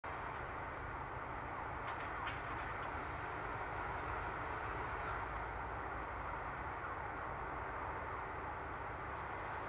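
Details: Low rumbling traffic or engine noise dominates throughout, with no clear animal calls.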